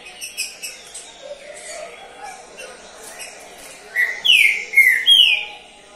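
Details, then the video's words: Caged champion Trinca-ferro (Green-winged Saltator) that placed third in a competition season; loud whistled rising and falling phrases near the end, with a man speaking softly underneath earlier. "COM SEU TRINCA FERRO. PASARO CAMPEÃO."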